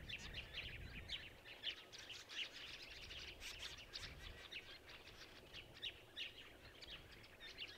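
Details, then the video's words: Masked woodswallows at Gluepot Reserve, South Australia, on 15 October 2023: short chirpy calls repeated rapidly and overlapping from several birds, with steady low background rumble. "Masked Woodswallows at Gluepot Reserve, Oct 2023"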